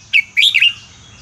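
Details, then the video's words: Red-whiskered bulbul in Burmese-style song, for training young birds. A brief clear whistle, then a quick warbled phrase of two or three slurred notes, with faint background hum. "นกกรงหัวจุกเพลงถิ่นพม่า 3-4-5-6 เปิดสอนลูกนก"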